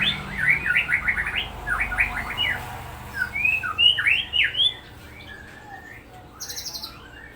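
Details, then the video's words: White-rumped shama of the Murai Batu Supak lineage in a rapid 'roll tembak' song: fast bursts of sharp, rising and falling whistled notes, then sweeping fluty phrases, ending with a brief metallic ticking. "spesial Roll tembak burung ini Trah dr Jenis MURAI BATU SUPAK"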